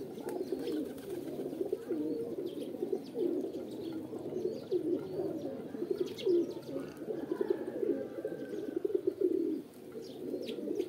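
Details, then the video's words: Several pigeons coo at once, their deep gurgling notes swelling and fading in uneven pulses that form a steady, murmuring wall of sound. "Kabutar | Pigeon Videos | Kabootar Ki Video Episode-4 | Birds Sounds"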